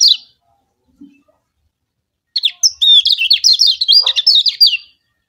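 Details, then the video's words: Yellow kecial from Lombok, a white-eye, gives lure song meant to set rival birds singing: a short high note, a pause, then a long rapid chattering run of whistled slurs and trills. "Pancingan Kecial Kuning Joss Terbaru Ampuh Bikin Kecial Lawan Gacor MAXIMAL‼️"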